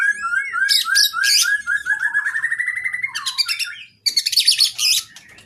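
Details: Kacer, the oriental magpie-robin, singing a long varied training song for caged birds: strings of quick upslurred whistles flowing into dense buzzy chirping bursts, a brief pause, then more bright, harsh, high twittering.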